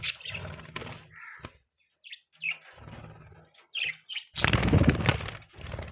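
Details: Budgerigar chirping: short, scratchy chirps come in uneven bursts amid loud rustling and wing-flapping noise, with a broad flurry of flapping near the end.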